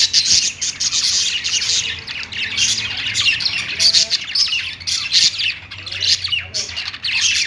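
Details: Caged budgerigars chattering from a perch: unbroken stream of scratchy chirps, clicks and squawks from more than one bird, steady and lively, over a soft low background hum.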